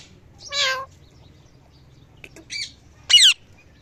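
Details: Parrot calling at evening: a drawn-out nasal squawk, a short buzzy note, then a loud harsh shriek.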